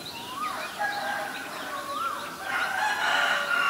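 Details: Black-collared starling (Gracupica nigricollis) in Ubon Ratchathani, Thailand, 17 April 2022, giving loud, harsh, varied calls with squeaky upslurred and downslurred whistles, rising into a noisy chattering jumble near the end.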